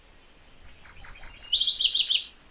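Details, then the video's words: MacGillivray's warbler singing: a quick, rolling phrase of about a second and a half, high clipped notes at the start giving way to a lower, churring run of repeated syllables, on a quiet background. "MacGillivray's Warbler Song ! MacGillivray's Warbler Sounds ! MacGillivray's Warbler Call"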